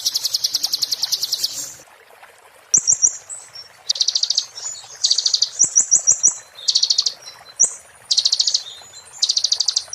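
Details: Kolibri ninja (konin) singing the fast 'muntah beling' style, kept as a tutor song for magpie-robins and shamas; high, rapid buzzy trill bursts, each about a second long, separated by short whistled notes and pauses.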